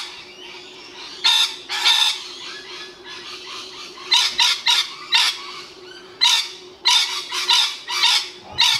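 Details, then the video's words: Rainbow Lorikeet calling loudly for territory: harsh, grating screeches in quick bursts, often two or three close together, over a low steady hum. "Rainbow Lorikeet calling loudly"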